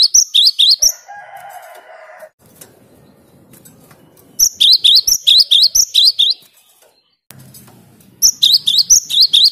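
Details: Gelatik batu (wingko) in full 'gacor' song meant to agitate rivals: three bursts of quick, high, ringing upslurred notes separated by pauses, with a brief lower buzzing sound after the first burst.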